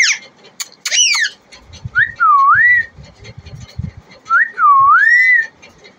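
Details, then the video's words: Pet desi parrot, a native Indian talking bird, gives two matching whistled phrases that dip and then rise, about two seconds apart, after a few short squeaky notes, with faint low thumps in the background. "देशी तोता🌻बोलने वाला | Deshi Tota Bolane Wala | Deshi Parrot Talking"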